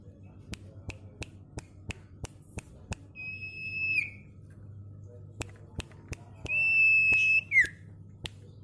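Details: Sirtu singing in the paud ceplekan style, used as a training recording for caged birds: long, level whistled notes ending in a downward slide, among a steady series of sharp clicks in a small room.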